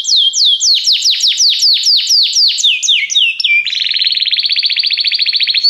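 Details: Belgian canary singing a popular song loudly: a rapid series of about fourteen sharply falling whistled notes, followed by a long, even, rattling trill.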